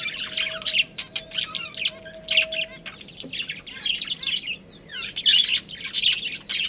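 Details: A budgerigar breeding pair at home chirping and warbling in high, scratchy runs, loud bursts alternating with softer twitters; a faint steady tone hums underneath during the first half.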